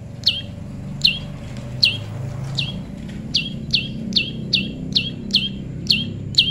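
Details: Tame prinia, noted as pairing naturally, delivering a steady run of about ten quick downward-sweeping high chirps spaced under a second apart, over faint low rumble.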